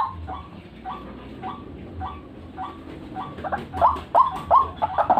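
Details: White-breasted waterhen used as a lure: soft, evenly spaced nasal notes about every third of a second, turning louder and sharper with rising inflections near the end.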